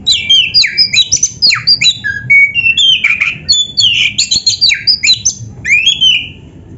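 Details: Loud 'gacor full isian' song of a kacer, the Oriental magpie-robin, on a masteran for caged-bird training: a nonstop stream of downslurred whistles, sharp chirps and rich varied phrases.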